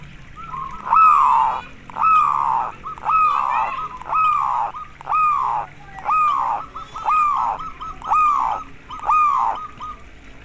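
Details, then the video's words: Local zebra dove giving its koar call, played to stimulate other doves to sing sooner: loud drooping notes, each sliding down from a high start, repeated about once a second for eight calls over a faint steady hum. "perkutut lokal terapi koar koar agar cepat manggung"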